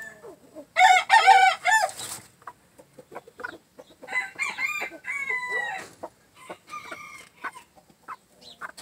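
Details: Green-legged red gamefowl with a jumbo pheasant: a loud run of ringing, arched squawks opens, followed by quieter irregular clucks and short flat tonal calls spaced unevenly.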